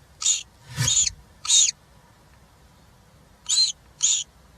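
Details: Nest of three European roller chicks being fed, filmed by a live nest camera on 20 June 2023; five short, harsh rasping calls, three close together, then a pause of about two seconds before two more.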